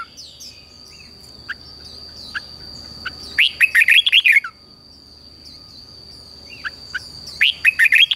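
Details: Red-whiskered bulbul morning fighting song, played to train and stir wild-caught birds to sing: two bursts of quick, bright, rolling warbled notes, with scattered single chirps and a steady high whine throughout.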